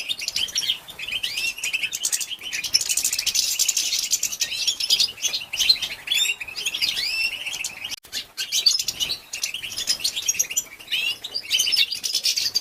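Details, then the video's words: Female European goldfinch calls to stimulate males; long run of high twittering, rising chirps and hissy buzzes, nearly unbroken, with a brief gap near the middle. "بتبته لتهيج ذكور الحسون تجهيز الاناث أصوات تحفز الطيور الخاصه بك | بتبته أنثى الحسون"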